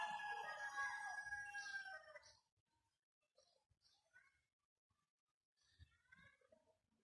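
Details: Talking ringneck parakeet giving a loud, harsh, drawn-out call with falling tones for about two seconds, then soft scattered chatter and short squeaks after a pause.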